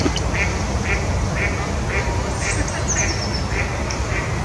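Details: A juvenile common moorhen at Ørholm gives short, soft clucking notes about twice a second over a heavy low rumble of wind, with a thin high twitter from another bird.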